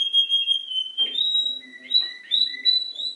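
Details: Canary parodying other species' songs with a sustained pure whistle, then a series of alternating higher and lower whistled notes looping back and forth in quick succession.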